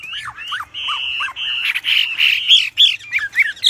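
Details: Wambi singing actively, loud and forceful, used as master song for training birds; high whistled notes, some falling slurs and level held tones, uneven rapid phrases with sharp squawky accents.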